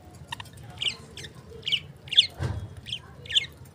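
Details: Lovebird uttering separate short, high chirps spaced roughly half a second apart, with a soft knock midway and quiet room background.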